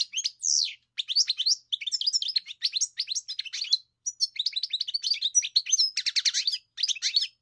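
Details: A European goldfinch delivers a long, lively song of fast twittering, tinkling notes and buzzy trills, broken by a few short pauses; quiet surroundings.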